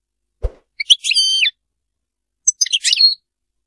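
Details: European goldfinch singing in the Sarfati style: a soft thud, then two short phrases of bright, high twittering with a nasal, harmonic buzzy note, separated by a second of silence.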